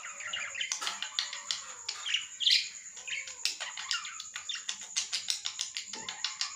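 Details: Lovebirds chattering with a steady run of harsh, squawky chirps and short scratchy notes that overlap almost without pause, over a constant high whine and background hiss.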